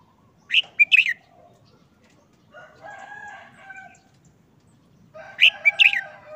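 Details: Caged red-whiskered bulbul in moult for over a month, uncovered and looking listless, giving short simple song phrases: two bright bursts of clipped whistled notes, a quieter lower warbling stretch, then another loud burst near the end.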